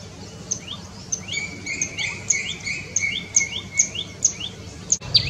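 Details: Common tailorbird (Orthotomus sutorius), a resident of urban gardens in India known for its loud calls, giving loud, sharp, high notes, each sweeping down, repeated about twice a second; a faint low rumble beneath.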